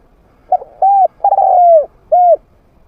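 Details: Medium-voiced trained spotted dove used as a lure for wild doves that come in to fight. It gives one phrase: a short note, an even arched coo, a long vibrating coo gliding lower, and a final rounded coo.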